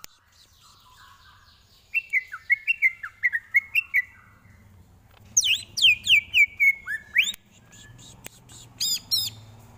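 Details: Greater green leafbird tutor song for training: after a quiet start, a chain of stepped whistled phrases, then a fast cascade of descending high sweeps and a final burst of sharp notes.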